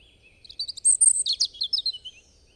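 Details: European robin song: a soft thin opening note, then a burst of high jingling whistles and rapid trilled notes tumbling downward, about two seconds long.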